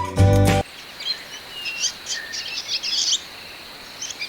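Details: Hill Swallow in a tea estate at Nuwara Eliya, Sri Lanka, giving thin, high twittering chirps in short scattered bursts over about three seconds, after a brief loud burst of music at the start.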